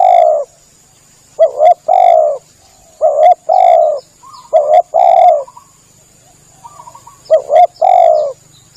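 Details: Tekukur lure call for attracting spotted doves: repeated phrases of a doubled short note and a long hoarse coo, with a faint low hum and a steady high hiss.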